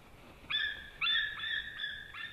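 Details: A White-tailed eagle at a Latvian nest gives a run of five clear, yelping notes, each with a slight upward lift, about twice a second, serious calls as two eagles chase each other; 15 February 2017, 9:57 am.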